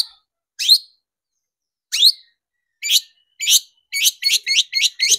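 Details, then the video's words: Shrike lure recording meant to excite long-tailed shrikes: spaced rising, slurred squeaky notes that speed up into a quick series of clipped, buzzy chirps. "PANCINGAN CENDET BIAR EMOSI DAN GACOR"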